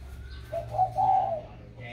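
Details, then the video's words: Spotted dove in a box after being sold, still vocal: one short low coo phrase, a soft note followed by a longer, steadier hoot. "khách mua xong chim cho vào hộp vẫn trơi như thường"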